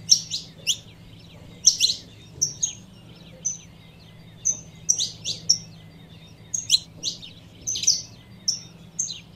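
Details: Calls of a female saffron finch meant to stir a male: repeated high chirps and short whistled notes in uneven bursts, sometimes paired, with a constant low hum beneath.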